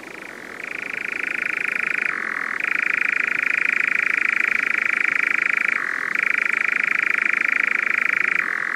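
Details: European nightjar's long mechanical churr, resembling an insect, swelling in volume at the start, alternating between a higher sustained trill and several short lower-pitched passages.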